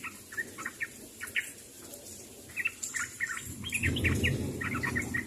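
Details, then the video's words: Sooty-headed bulbul calling out to others: spaced single chirps at first, then quicker bubbly groups, while a low rumbling noise swells toward the end. "SUARA BURUNG TRUCUK MEMANGGIL KAWAN"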